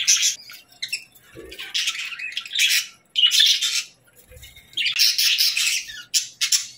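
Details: Bird chirping in rasping, noisy bursts about half a second to a second long, with short silences between them and a soft thump or two.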